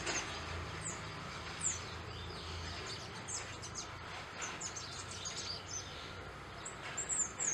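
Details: Burnished-buff tanager (Tangara cayana) singing, giving thin, high, sibilant notes scattered irregularly, about one or two a second, over a steady background hiss.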